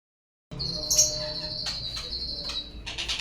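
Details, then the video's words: White-rumped shama song used as a lure to get other birds singing: a long steady high whistle held for over two seconds, broken by brief sharp chips and ending in a rapid burst of high notes. "suara pancingan burung murai agar bunyi"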